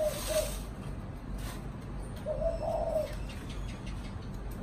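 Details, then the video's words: Caged spotted dove kept as a pet, cooing in the "thổ chạm đồng" style: a short low coo at the start, then a longer two-part hollow coo near the middle, over steady background hum. "Cu thổ chạm đồng"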